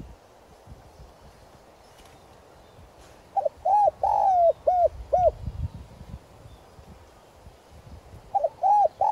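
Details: Spotted dove used as a decoy, giving its calling coo in the prized clear "giọng son" voice to lure and stir wild doves; after a quiet start, a run of five rounded rising-falling coos, then the phrase begins again at the end.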